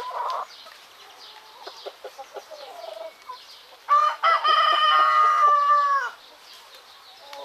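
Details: Rooster crowing in the morning among chickens and turkeys in Greek countryside: a few short clucks and scattered soft notes, then one loud, long, steady crow held about two seconds before ending abruptly.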